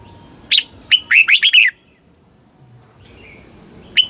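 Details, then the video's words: Thai red-whiskered bulbul song in southern master style, used to stimulate caged birds and teach young ones: one clear phrase of a high upslurred whistle leading into rapid chirpy warbles, then quiet, ending on a single sharp note. "เสียงนกกรงหัวจุก ร้อง ริก เปิดให้นกฟัง ยั่วให้นกคึกจัด"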